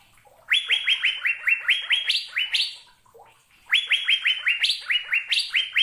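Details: Asian fairy-bluebird giving two bursts of rapid, ringing upslurred whistles separated by a brief pause, each burst holding about ten quick notes, some pitched noticeably higher.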